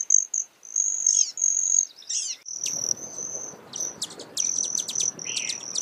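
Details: A broad-tailed hummingbird makes a shrill steady buzz in short bursts, then a continuous trill punctuated by crisp chip notes against faint background hiss.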